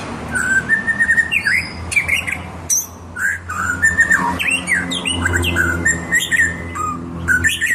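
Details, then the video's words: White-rumped shama (murai batu) in lively full song: a varied run of clear whistled phrases, slurred rising and falling notes and short buzzy bursts, broken by brief pauses, over a steady low hum. "murai batu gacor ciamik"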